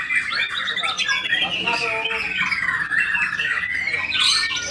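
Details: White-rumped shama singing: a dense, continuous stream of varied whistled phrases, with bright rising and falling notes and sharp chirps layered over one another, steady loudness throughout.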